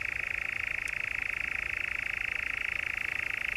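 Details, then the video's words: European nightjar churring in the Brecks, Norfolk, July 2017: a continuous, rapid mechanical trill, steady and unbroken throughout, with a faint background hiss. "Nightjar, the Brecks, Norfolk, 7/7/17"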